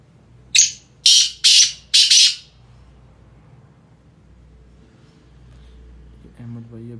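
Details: Sindhi black francolin calling: four harsh, rasping, broadband notes delivered in quick succession over about two seconds, followed by quiet and a faint low sound near the end.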